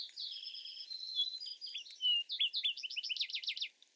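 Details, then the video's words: Vesper sparrow delivering a full song: drawn-out, slightly buzzy warbled notes that give way to a rapid series of sharp descending trilled notes. "Vesper Sparrow Bird Sound Bird Song"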